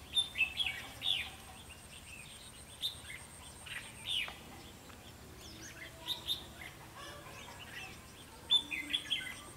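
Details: Decoy red-whiskered bulbul used in trapping, singing a fighting song of quick high chirps and slurred whistled notes in small bursts, some notes doubled, over a steady faint hiss.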